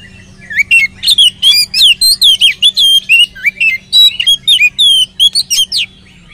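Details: Oriental magpie-robin singing in a rich, nonstop stream, used as a lure to set other magpie-robins singing: rapid, varied whistles, up- and down-slurred notes and short buzzy trills, about three notes a second, with a faint low hum beneath.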